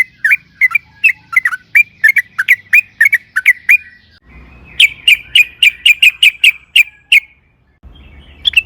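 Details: Vigorous long rolling song of a Sooty-headed bulbul, used to prompt other bulbuls to sing; a run of bouncy swooping whistles, then a faster burst of sharp notes, ending in silence and a final chirp.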